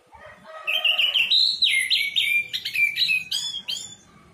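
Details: Caged orange-headed thrush singing a run of loud varied whistles, starting with lower warbled notes, then sliding and jumping tones, ending in quick sharp high notes.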